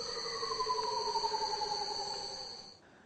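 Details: A Curl-crested Manucode, a bird of paradise whose call is likened to a UFO, gives one drawn-out, hollow, eerie tone that slides slowly downward for nearly three seconds, over a thin, steady, high ringing.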